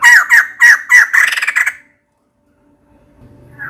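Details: Calling for a mate, a female white-crested laughingthrush utters four loud harsh squawks followed by a quick rattling chatter, then silence with a faint low hum.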